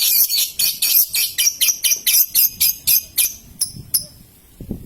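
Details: Paud lovebird, used as a lure for long ngekek song: a fast run of about a dozen harsh, high chattering notes, roughly two per second, slowing and fading into scattered chirps.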